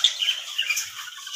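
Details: Caged budgerigars of many colours, breeding pairs mostly on eggs: brief burst of scratchy, warbling chatter with a few sharp high chirps.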